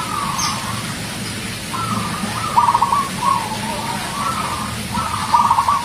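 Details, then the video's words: Zebra dove (local perkutut), a champion-type bird performing its song: soft, trilled coos repeated in short phrases about every second, faint against a steady background hiss and low hum. "perkutut lokal manggung gacor suara mantap"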